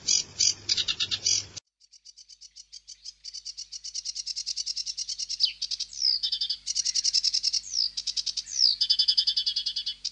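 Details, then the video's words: Song of a sedge warbler, a long, varied stream of rapid scratchy chatter mixed with sharp upslurred whistles and sweeping downslurs, rising and falling in intensity after a short opening burst. "هازجة البردي المخططةsedge warbler"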